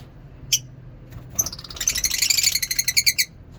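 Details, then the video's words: Lovebirds in a mini zoo in the morning: one sharp chirp, then a fast, bubbling twitter of closely repeated high notes that swells and fades. "Lovebirds singing in mini zoo"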